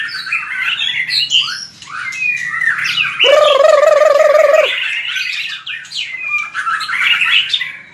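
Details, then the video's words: White-rumped shama fighting song for training: varied whistled phrases and chips, interrupted midway by a loud nasal buzzing rattle lasting over a second, then more quick whistles. "Luyện chòe lửa hót đấu/luyện giọng chòe lửa/kích lửa shama bird"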